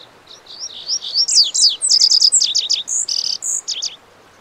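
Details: Lazuli bunting (Passerina amoena) song, longer and jumbled: a fast string of high buzzy and whistled notes, some repeated in pairs and triplets, running for about four seconds with barely a break.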